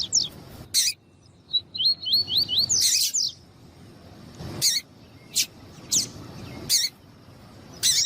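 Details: Male Double-collared seedeater song mixed with female calling, played to warm up males: a brief string of five or six rising whistled notes, then separate sharp, loud, high chirps spaced about a second apart.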